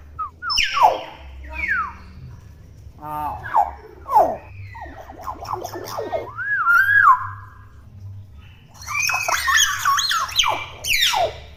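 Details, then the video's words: Young hill myna chattering in a jumble of quick buzzy notes, falling squawks and a wavering whistle, closing with a dense harsh burst, over a low hum. "BURUNG BEO GACOR! BEO CEREWET"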